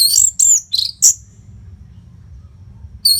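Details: Orange-headed thrush training song for keeping fighter birds fit: a quick run of four bright, sharply slurred whistles, then a pause and a fresh burst at the end.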